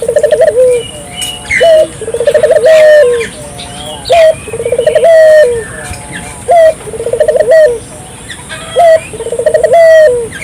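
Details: Repeated gacor calling of a Barbary dove (burung puter) to lure local doves into calling: four phrases, each a clipped rising note, stuttering pulsed trill and long falling coo, spaced about two and a half seconds apart, with scattered high chirps.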